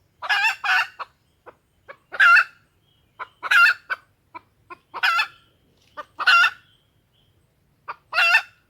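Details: Lure call of a female red junglefowl: loud raspy cackles roughly every one and a half seconds, soft quick clucks in between, clean quiet background.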